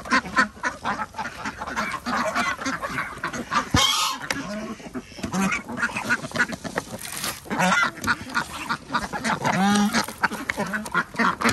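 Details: Feeding-time chorus of farm ducks on an organic village farm in Andhra Pradesh, where chickens and geese are also kept; continuous overlapping quacks, with a few longer drawn-out calls standing out.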